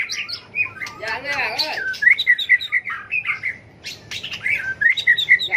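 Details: White-rumped shama singing its competitive fighting song, used in song-battle training: a loud rapid stream of varied whistled and warbled notes, including repeated sharp chirps, with brief human speech in the background.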